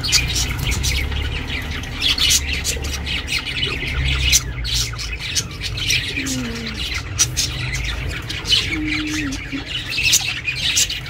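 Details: Pet budgerigar chirping, offered for budgies kept alone: dense, rapid chatter of scratchy, buzzy chirps and squawks, high-pitched and nearly continuous, over a steady low hum.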